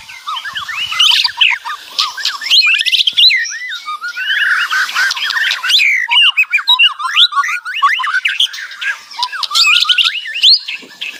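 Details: Loud, lively white-rumped shama song packed with varied phrases in the kretekan style: rapid changing whistles, squawky chatter and rattling notes, almost continuous for eleven seconds with very brief pauses.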